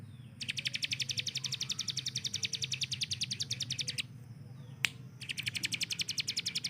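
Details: Machine-gun style burst from a hill prinia tutor bird: a sustained train of quick, piercing high notes for more than three seconds, a short gap with a sharp knock, then the rapid string resumes.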